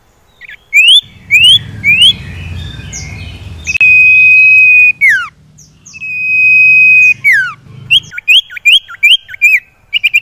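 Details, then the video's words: Common iora song played to coax caged birds into singing: upslurred whistles, two long level whistles each ending in a downward slide, then a quick run of short chirping notes over a steady low drone. "PANCINGAN UNTUK SIRTU MALAS BUNYI JADI GACOR"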